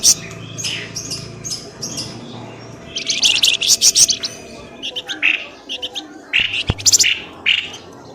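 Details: Pelamboyan ribut bird lure for coaxing birds from bushes: scattered sharp chirps building into a loud chattering cluster, then spaced high notes and a single click-like tap.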